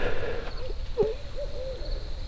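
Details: Two barred owls dueling at night on a farm during a camping trip: a faint run of hooting notes, several bending up and down in short arcs, against a steady background hiss.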